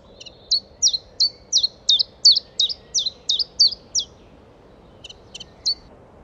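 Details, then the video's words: Common chiffchaff (Phylloscopus collybita) singing at Audierne Bay, Finistère, Brittany, France, late April–early May 2022: about ten high chiff-chaff notes at roughly three per second, faint low background noise. "POUILLOT VÉLOCE (Phylloscopus collybita) Chant"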